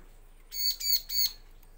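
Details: Three harsh, rasping high notes in a quick row from a bar-winged prinia, played as a lure to draw answering males and females.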